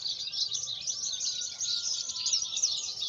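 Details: Javan bush lark singing in Sumedang, West Java, Indonesia; a busy stream of high, scratchy chirps and warbled trills pours out without a break, with a thin steady whine in the background.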